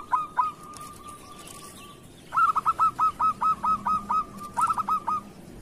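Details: Local zebra dove in kerot style, used to encourage reluctant or moulting doves to sing: a brief stutter and fading trill, then a loud, even run of about ten clipped, ringing coos.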